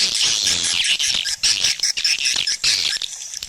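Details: Swiftlet calls used as a lure for nesting houses: busy, high-pitched chattering of many overlapping chirps, nearly continuous, with short squeaky notes and quick clicking bursts.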